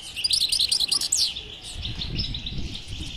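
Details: Goldfinch stimulation twitter for a bird that will not sing: a quick run of about ten bright, rising chirped notes in the first second, then softer twittering fading out.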